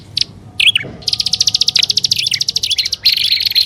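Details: Combined grassland and upper and lower prinia lure: a few separate high notes, then a fast rattling trill of evenly spaced ticking chirps, ending in a dense buzzy high trill.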